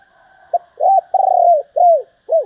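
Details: Female spotted dove calling to excite males: a clipped opening note, then a run of soft hooting coos with one long pulsing note. The final notes arch and fall, and the recording is clean apart from a faint steady hum.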